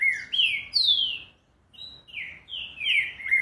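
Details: Fast green-winged saltator song, with rich whistled notes gliding downward, a brief silent gap mid-way, then another rapid run of clear descending slurs.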